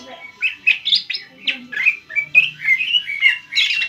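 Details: Lively song of a caged greater green leafbird, played to provoke a rival: jumbled chirps and squeaks that run into longer, level whistled notes near the end.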